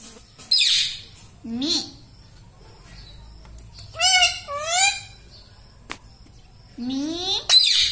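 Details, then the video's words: Pet talking parrot said to say 'Mitthu', 'papa' and 'mummy' gives scattered nasal word-like calls, a low rising syllable, a pair of wavering notes mid-way and a final rising call, with a click between. "Talking parrot _Mitthu Mitthu _ Tota _ Papa Mummy Bolne Wala Tota"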